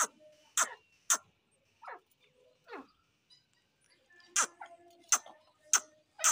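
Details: Grey francolin pair, locally dassi teetar: sharp, harsh broadband notes sweeping downward, given in irregular bursts with softer, lower descending calls between them and a gap of near silence mid-sequence.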